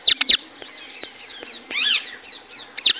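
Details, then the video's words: Indian ringneck parakeet in natural voice: two sharp, piercing shrieks at the start, scattered clicks, a harsh arched squawk midway, then another sharp shriek at the end. "Natural Voice of Parrot"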